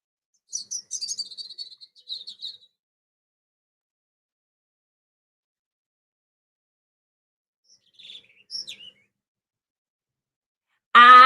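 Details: A European robin, presented as a bird heard in springtime, sings a high, thin, twittering phrase of about two seconds, then after a pause gives a few soft notes; a voice starts at the end.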